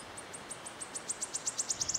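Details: Wood warbler singing in Yarner Wood, Devon: a series of thin, high ticking notes that speed up and grow louder into a shivering trill, over a steady background hiss.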